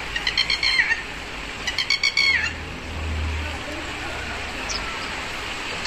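Two quick bursts of loud, sharp, shrill notes, each run ending in a dropping slur, from a red-wattled lapwing; a low engine rumble passes beneath.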